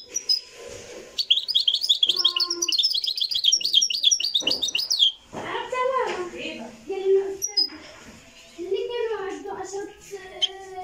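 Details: Live Marrakchi-style European goldfinch song: a few seconds of rapid high twittering, then lower voices and other muffled sounds take over.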